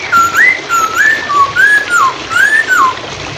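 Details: Hwamei song meant to coax stuck birds into singing, with running water in the background. A steady string of mellow whistles, each rising or falling in a smooth slur, repeated about every half second.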